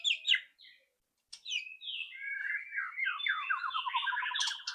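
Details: White-rumped shama, loud rattling song for prompting a bird to sing fast; brief sharp notes, a pause, then a long continuous stream of rapid rattling, buzzy warbles.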